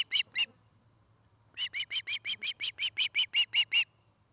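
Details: Osprey calling at its nest in Charlo, Montana, from an afternoon nest-cam recording dated 09-05-2018: two sharp whistled chirps, a pause, then a rapid regular string of about fifteen piping notes that grow stronger, over a faint low hum.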